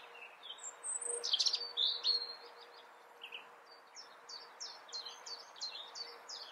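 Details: European robin (Erithacus rubecula) singing in the Eifel, Germany: high, thin, tinkling phrases that shift in pitch, then a run of quick repeated sweeping notes, over a faint steady hum.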